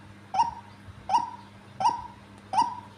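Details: A very vocal, tame female white-breasted waterhen calls four times. Each note is short and croaking with a quick start and a slight downward slide, spaced about 0.7 seconds apart against a faint background hum.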